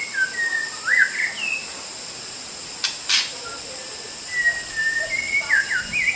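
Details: Training song of a white-rumped shama, meant for other songbirds to learn: lively whistled phrases with rapid upsweeps and downslurs, a pause, then another whistled run, with a steady hiss and a pair of clicks behind.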